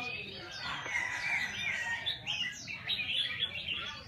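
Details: Red-whiskered bulbul singing among a busy chorus of other birds. Clear whistled phrases slide and waver, followed by quick rising and falling notes, with murmuring voices and a dense background of chirps.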